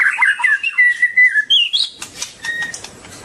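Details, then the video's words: Long-tailed white-rumped shama: a loud warbling run of whistled notes climbing into a high rising slur, then quieter clicks and a single faint whistle. "Kicau murai batu ekor panjang super"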